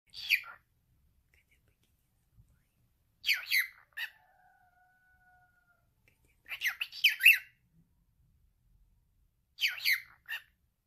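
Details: Male pet cockatiel talking: four bursts of raspy, chattering syllables, about one every three seconds, with a faint steady whistle-like tone between the second and third bursts in an otherwise quiet room.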